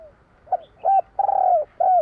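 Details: Spotted dove in the 'kur 3' style: a short note, a clear coo, then a long trembling coo that falls at the end, followed by another coo. The sound is close and clean.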